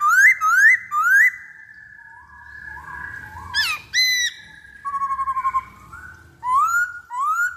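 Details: Black-throated laughingthrush used as a lure: three rising whistled notes, a long level whistle, a sharp burst, a fast low trill, then two more upslurred whistles.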